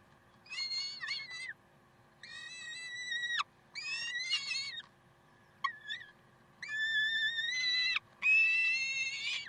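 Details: Peregrine falcons in Karlsruhe, 30 May 2010: prolonged harsh, harmonic screams lasting one to one and a half seconds each, separated by short silences, with one brief click-like note in the middle and a constant faint hum.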